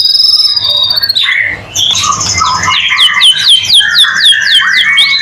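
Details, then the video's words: White-rumped shama in vigorous song, played to trigger other shamas into singing; it opens with long high pure whistles, then a brief pause, followed by quick repeated downslurred notes and varied warbling phrases. "Murai batu gacor AMPUH buat PANCINGAN murai batu agar bunyi LANGSUNG NGEPLONG"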